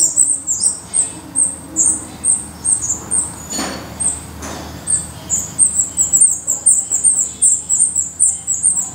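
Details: Black redstart at its nest in Portugal: thin, very high squeaky notes repeated about three to four times a second in a steady series, with a couple of brief low rustling knocks in the middle.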